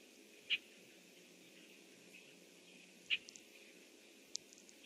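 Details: Red-winged blackbird calling from its nest tree on the morning of 25 June 2014, about 07:08; two sharp, short chip notes roughly two and a half seconds apart, then a faint high tick, over a steady soft hiss.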